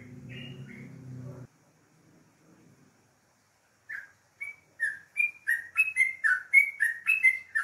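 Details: Yellow-vented bulbul singing in the morning: after low rumbling noise and a quiet gap, bubbly short whistled notes begin and quicken into a fast, steady chatter of warbling phrases.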